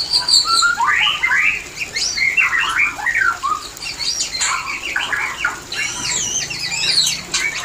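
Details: Mating call of the white-rumped shama, played to bring shamas into breeding condition: dense tumbling run of whistled notes and harsh chattering phrases, nearly continuous with short pauses.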